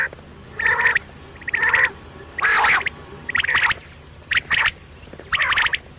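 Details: Quail calling at night: separate nasal, buzzy notes with clicky edges, spaced about one second apart in a fairly steady rhythm.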